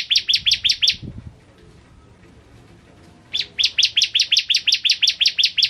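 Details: Actively singing bar-winged prinia (ciblek kristal): a short run of quick high chirps, a soft low thump, a two-second pause, then a longer burst of piercing chirps around five per second.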